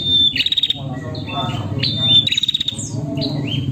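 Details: A female prinia calls to a male, giving clear high whistles and short upswept chirps in rapid series, with a constant low droning hum behind.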